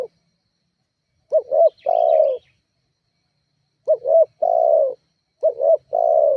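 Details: Spotted dove calling as a lure to provoke rivals: three phrases of a wavering double coo followed by a longer steady coo, with a faint high chirp from another bird during the first.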